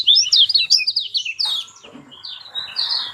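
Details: Lemon-bellied white-eye song for prompting a silent bird to sing: a fast burst of high, sweet twittered notes, then softer, sparser drawn-out whistles over faint background noise.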